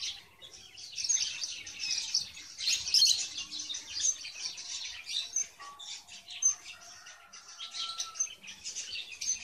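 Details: Captive red avadavats (strawberry finches) nesting in a cage in February give thin, high chirps and twittering notes in dense overlapping chatter, about one clear note a second, with lower tones beneath; the male lacks red plumage.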